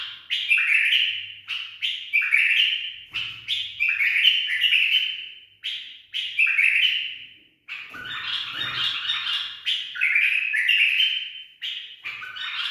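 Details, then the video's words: Tame bulbul taught the barwaz style sings repeated liquid whistled phrases, each a quick rising note then a slurred descending trill, with a busier, harsher passage in the middle. "بلبل أليف تخريج صحيح"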